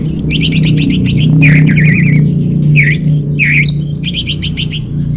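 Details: Song of an orange-headed thrush, used to lure and tutor caged birds. Fast bursts of repeated high chirps alternate with lower warbling, wavering whistles and slurred notes. A steady low droning hum runs underneath throughout.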